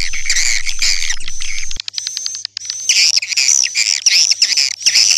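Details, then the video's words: Swiftlet twittering in bursts of high buzzy chirps, broken by a short near-silent pause with a quick clicking run, then resuming as loud chattering. "Suara Burung Walet"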